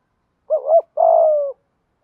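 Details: Spotted dove of Malaysian stock giving a thúc gù style coo: a short wavering double note, then one long, steady, slightly falling coo. The background is silent.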